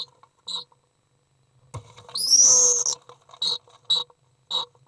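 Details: A Common Swift parent entering its nest box around ten in the evening on 19 July 2011, after three young fledged, gives one long, shrill, rasping scream under a second, with short high chirps around it and a soft thump before.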